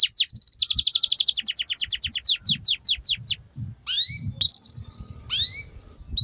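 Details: Canary song used to teach young canaries: a rapid trill of downward sweeps for about three seconds, then scattered rising whistles and slurs after a short pause, faint low rumble beneath.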